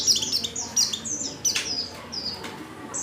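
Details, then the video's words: Female white-eye in breeding condition calling a male: rapid high twittering chirps and short whistled slides, crowded together, over a noisy low background. "Pleci | betina | Birahi Memanggil jantan"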